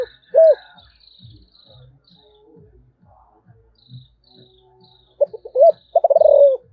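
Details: Calling spotted dove with a thổ voice: one arched coo, a stretch of low rhythmic background sound and faint high chirps, then clipped notes and a stuttered run into a long falling coo.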